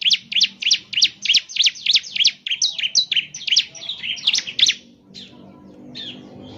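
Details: Lure recording of a vigorously singing bar-winged prinia of the ciblek semi type: quick, metallic high chips in rapid series, growing more varied and slurred midway, over a low background hum, then fading out.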